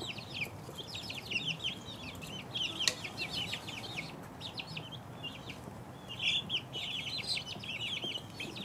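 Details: Dense peeping from two-week-old chicks, rapid high chirps packed together and overlapping, a sharp click near the third second, the chatter swelling again toward the end.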